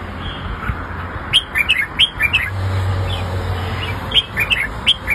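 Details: Song of a red-whiskered bulbul, used to teach young birds to copy. Lively whistled phrases of quick chirpy notes, a pause with a low droning hum, then another run of sweet rising and falling whistles.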